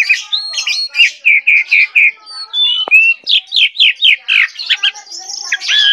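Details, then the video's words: Energetic gacor song of an Asian pied starling (jalak suren): a series of short whistled notes repeated about four per second, interrupted by sliding whistles and buzzy chatter. "jalak suren gacor"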